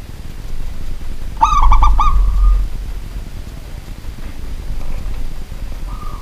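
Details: Pet zebra dove of local type singing at night: one quick stuttered cluster of harmonic coos running into a sustained flat coo, with a lone coo returning near the end.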